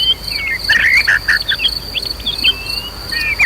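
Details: Emotional white-rumped shama song used to provoke fighting spirit in other birds, set against nature and river sounds: bright clustered whistles and sharp slurred notes in quick bursts, with a constant shrill insect hum behind.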